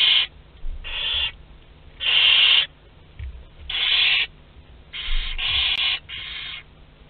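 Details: Young barn owls, two to twelve days old, sharing a meal in a nest at Théding, France, on 29 April 2021; raspy hissed shrieks in quick bursts of under a second, some back to back, steady low hum behind.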